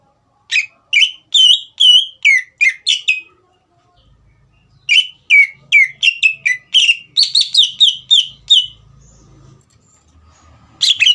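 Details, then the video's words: Energetic caged green leafbird delivering two long bursts of loud, varied whistled notes at a brisk pace, each phrase slurring downward, with a brief quiet gap and faint low rumble between them, aimed at provoking a young bird. "CUCAK IJO GACOR INI SPONTAN MEMANCING EMOSI CUCAK IJO BAHAN TROTOL AGAR GACOR"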